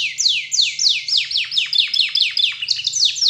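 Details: Canary lure song to get other canaries singing: loud swept whistles falling in pitch, repeated about three times a second in a steady rolling rhythm, faint low hum behind.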